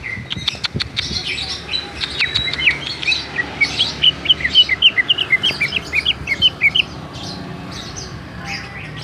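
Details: Rolling ngerol song of a greater green leafbird from Bali: clicks and scattered chirps build into a fast, even run of bright whistled notes, about four a second, that stops abruptly near the end.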